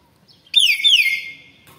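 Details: Young Nias hill myna, described as noisy with a very shrill voice: a single loud, piercing whistle that starts high and glides down in a long slur, rich in harmonics, then cuts off into near silence.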